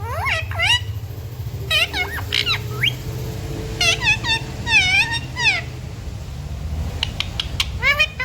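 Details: Parrot mimicking human speech, with phrases such as "mummy papa" and "sita ram": a rapid run of short harmonic syllables, some rising and some falling, in speech-like groups over a constant low background rumble.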